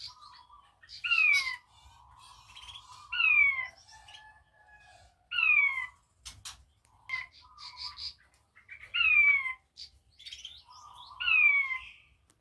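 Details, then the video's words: Blue-breasted quail calling actively: clear whistled notes sliding steeply downward, repeated about every two seconds, with softer low whistles between them and a faint click. "Suara burung puyuh batu gacor"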